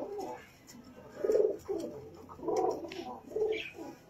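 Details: Jafari pigeon, the smallest type of pigeon in the world, uttering four hoarse, mid-pitched coo bursts about one second apart, each swelling then dropping away.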